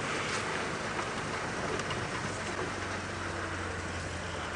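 Loud vehicle rumble mixed with rain-like rushing noise continues without break, and no animal voice stands out.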